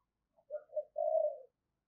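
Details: Spotted dove kept as a vigorous decoy bird: a brief soft note, then two short coos and a longer drawn-out mellow coo, low and smooth, in otherwise silent surroundings.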